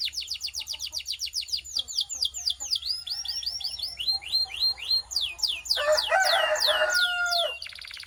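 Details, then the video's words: Canary song for coaching: quick downward whistled notes that speed up and slow down, building into a loud, harsh rolling passage before a short high trill. "Transform Your Quiet Canary into a Singing Champion!"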